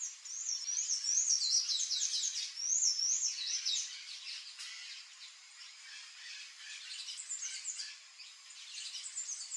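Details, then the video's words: Palm tanagers visiting a yard for food: high, thin twittering and squeaky chirps in quick, overlapping bursts, loudest early on, then softer chatter continuing. "PALM TANAGER sounds (THRAUPIS PALMARUM)"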